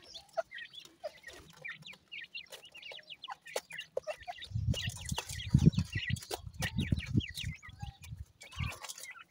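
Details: Grey francolin chicks feeding chirp in high, brief downslurred notes over clicking taps, with a low rumbling noise joining midway.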